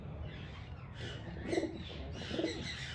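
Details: Pigeons in a flock feeding on grains and rice; two soft, low cooing notes arrive about a second apart, mixed with faint higher chirps from other small birds and a steady low background rumble.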